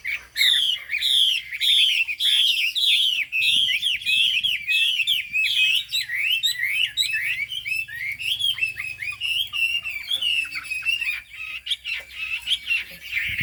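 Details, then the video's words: Extended cao cầu song of a Chinese hwamei with turmeric bill and fig-leaf tail: continuous dense warbling, looping whistles poured out almost without pause, varied and loud throughout. "Họa mi hót cao cầu"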